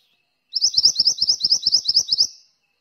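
Ashy Tailorbird song: a quick run of about fourteen high, sharp chirps in under two seconds, evenly paced and bright, with nothing else heard.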